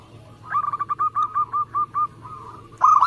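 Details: Singing local zebra dove, offered as a lure and song prompt: an evenly spaced series of about nine rounded coo notes that slows and softens, then a sudden loud, fast trill.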